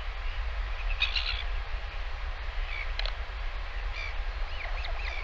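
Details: Live nest camera footage of a northern royal albatross chick as its parent returns to feed it lunch, 20 August 2023; brief sharp chirps and a few rising squeaky notes, set against steady roaring wind.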